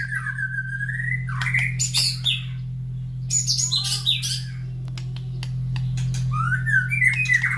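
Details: Caged white-rumped shama, fed in the morning and carried near breeding cages where other birds answer noisily: clear whistled phrases, rising and falling, mixed with harsh scratchy bursts and ticks, over a steady low electrical hum.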